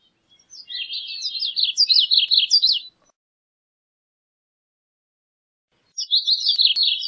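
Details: Gray-cheeked Thrush (Catharus minimus) singing a thin, high, reedy phrase of quick slurred notes lasting about two seconds, then a second phrase after a three-second pause.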